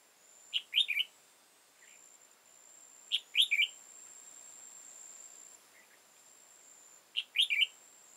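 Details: {'text': 'Red-whiskered bulbul, a wild old bird with high crest and dark bib, during trapping on 15 October 2018; three short bright warbled phrases of a few notes each, repeated roughly every three seconds, plus softer single notes between.'}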